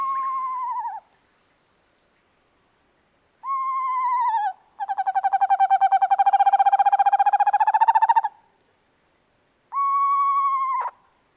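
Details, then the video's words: North American owl gives three level, slightly quavering hoots that drop at the end, with a rapid trembling trill of about three seconds between them; a faint steady high whine runs throughout. "Sounds of the North American Owl. Singing North American Owl"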